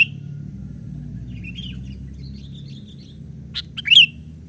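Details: Young sooty-headed bulbul used for luring wild birds, playing on a branch; soft faint notes first, then a sudden loud burst of sharp chirps closing in a bright downslurred twitter, against a low background drone.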